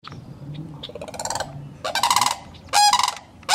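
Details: Cranes at a nesting site in Kettle Moraine, Wisconsin; after a quiet rustling start, loud rolling, rattly calls break out in three bursts, each rich and trilled, the last cut off at the end.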